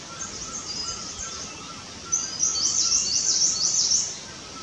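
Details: Nesting Himalayan cutia in India, heard close while it builds and flattens its nest: high, thin twittering notes, faint at first, then a denser burst of rapid sharp chatter, over a constant noisy hiss.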